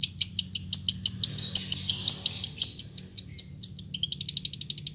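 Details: Lovebird in ngetik-to-ngekek calling meant to provoke another lovebird into answering, giving evenly spaced shrill chirps about three a second, then breaking into a faster, finer stutter near the end; soft low hum in the background.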